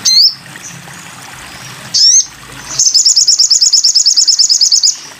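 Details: Sogon bird, recorded as a tutor track for training cage birds: two loud, high, rising whistled notes, then a long, fast trill of bright, high notes repeated evenly for about two seconds.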